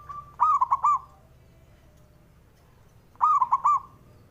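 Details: Male zebra dove, local Javanese bird, giving a call meant to provoke rival males into answering: two identical phrases about three seconds apart, each a level coo followed by a quick run of three or four stuttering hollow notes, quiet background.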